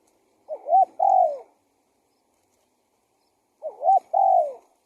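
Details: Lure recording of a spotted dove: two gentle cooing phrases about three seconds apart, each opening with a small wavering double note and ending in a drawn-out coo that bends downward.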